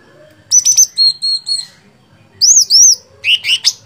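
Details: Sooty-headed bulbul, called cucak cungkok, in gacor fighter song: a run of four steady high whistled notes, a pause, then two arched whistles and a burst of rising chirps.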